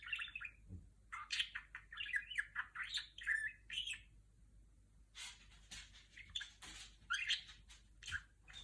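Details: Female budgerigar talking and copying R2-D2 sounds, a long run of mixed whistles, chirps and scratchy buzzes in rapid sequence with brief gaps, a faint low thump near the start.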